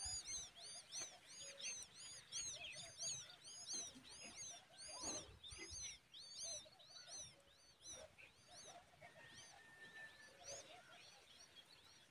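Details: Common babbler adult, described as the mother, feeding a hungry chick a large worm; high arched chirps repeated rapidly, about one and a half per second, with faint lower calls and a brief harsh burst midway.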